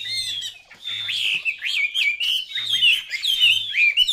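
A Chinese hwamei pours out a rich, loud song of looping whistles and rapid trills, shifting pitch constantly; a faint low hum sounds underneath.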